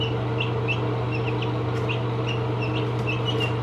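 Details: Baby chicks, 17 days old, peeping with short high chirps, some rising then falling, repeated several times a second at irregular intervals over a steady low mechanical hum.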